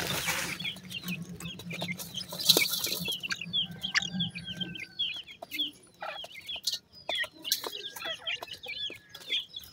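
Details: Feeding pheasant chicks keep up a constant run of thin falling peeps from many birds, with pecking clicks; a low hum fades out midway, leaving the chirping clearer.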